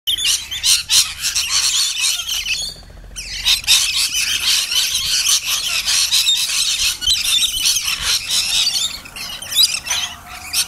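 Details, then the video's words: Excited flock of Rainbow lorikeets at Wild River Caravan Park, Herberton: harsh, high screeches and squeals overlapping almost nonstop, a few sharp bursts every second. "Rainbow Lorikeets"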